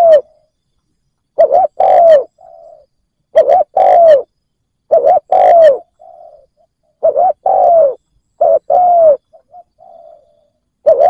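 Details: Decoy spotted dove calling to lure wild doves, cooing steadily in about five phrases. Each phrase has short hooked coos around a long, smoothly falling coo. Softer trailing notes follow several phrases.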